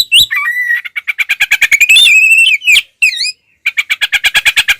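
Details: Oriental magpie-robin in energetic fighting song, tail spread, in the loud style known locally as ngeplong, used to provoke rival birds; high slurred whistles give way to a fast run of sharp chirps, about three per second, with buzzy rasps between.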